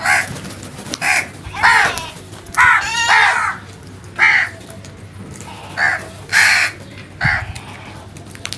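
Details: Several harsh, nasal caws from crows calling loudly in a natural setting, some drawn out and others clipped, coming roughly every half second to second in an irregular series, with a low hum beneath.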